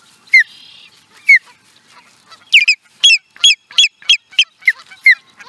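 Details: Osprey recorded in Charlo, Montana, USA, in 2017, giving loud, sharp, downslurred whistled notes. They start singly, about a second apart, then speed into a rapid run of repeated chirps, with near silence between them.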